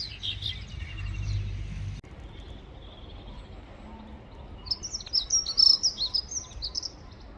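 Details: Female Pied bushchat: after a stretch of low background noise, a quick run of thin, high, slightly buzzy chirps bursts out near the end and trails off.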